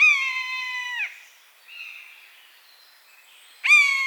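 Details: Buzzard calling in its natural habitat: a sustained mewing scream that slurs downward as it fades, a soft faint note in the pause, then a fresh loud mew starting abruptly at the end.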